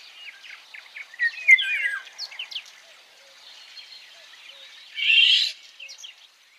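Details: Common chiffchaff singing and chirping in a spring forest as a mating call; a loose series of short, high, steeply sliding chirps, busiest early on, then a brief hissing rush of noise and a few faint notes.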